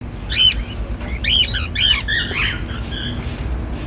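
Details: A male and a female normal grey cockatiel making happy sounds: loud bursts of harsh, squawky chirps, with three quick rasping notes near the start, then softer whistled notes trailing off over steady low background hum.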